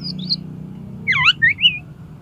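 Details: Short Oriental magpie-robin phrase used to coax contest birds to sing: a thin high whistle, then a twisting cluster of swooping slurred notes and a final rising whistle over a low hum.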